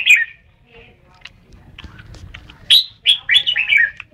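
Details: Red-whiskered bulbul: one sharp note, a quiet stretch with faint soft sounds, then a run of clear, fast, tumbling whistled notes.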